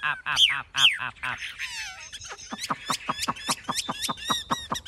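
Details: Chinese hwamei, a large-bodied captive male with a fully fanned tail and high wings, gives harsh repeated notes that break into rapid clipped whistles with sharp downward strokes.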